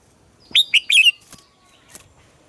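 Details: Red-whiskered bulbul, a morning song used to train captive birds: one short burst of four clear, warbled whistled notes rising and falling, followed by a few faint clicks and a soft distant chirp.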